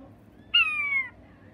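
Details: Button quail that has become angry, giving a single half-second tonal squeal with strong harmonics that drifts slightly downward, against a quiet background.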